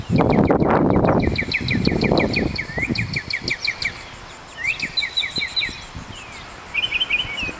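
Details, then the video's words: A northern mockingbird at Kitty Hawk, North Carolina, sings during an aerial song-and-dance display: quick runs of repeated chirps and sweeping whistles, changing phrases every second or so, over a low rumble of wind or traffic at first. "Mockingbird Aerial Song and Dance"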